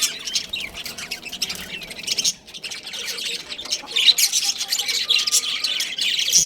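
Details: Breeding pair of budgerigars: harsh, high squawks and chirping chatter, briefly dropping away after about two seconds, then returning louder and denser toward the end.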